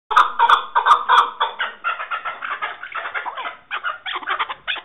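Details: Chukar partridge giving rapid, harsh clucking notes in quick bursts, about four per second, with a few sharp clicks at the start and a continuous chattering run that slows toward the end.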